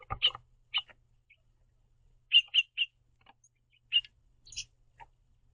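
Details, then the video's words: A pair of house finches perched on a backyard bird feeder eating seed and chirping to each other: brief high chirps, singly and in quick pairs, separated by short quiet gaps. "House Finches Happily Chirping To See The Green Bird Feeder"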